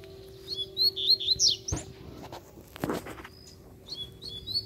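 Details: Wild free-flying Double-collared Seedeater, described as fiercer, with its yellowish female nearby: a quick flurry of high whistled notes, then two loud knocks and rustling before a few soft, distant chirps return.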